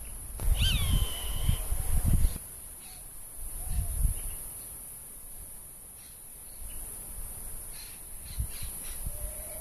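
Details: A roadside hawk defending its territory in season, marking presence by voice and flight, gives one drawn-out, nasal scream that slurs down then holds steady, over a second long, followed by low wind rumble and faint background sounds.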